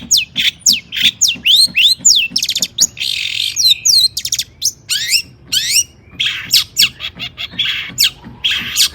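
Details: Agitated long-tailed shrike song meant to provoke other shrikes to sing, rich in mimicked phrases: quick repeated whistled upslurs, scratchy bursts and sharp chips, about three to four notes each second, loud and unbroken.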